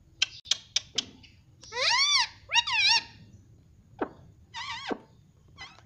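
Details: Pet Indian ringneck parrot: several sharp clicks, then two bright arched squawks in succession, a short pause, and a further screechy call with a final click.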